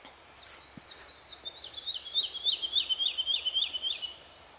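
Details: A wood lark singing in Yorkshire, where it is not common: a few spaced introductory whistles quicken into a rapid, even trill of about ten liquid falling notes, loudest near the end, in a quiet setting.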